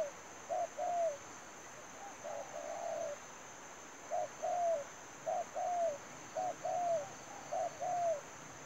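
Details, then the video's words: Spotted dove, used as a decoy in dove trapping, gives soft, low, hollow coos in short two- and three-note phrases, repeating every second or so, over a steady high-pitched whine. "chim cu gáy"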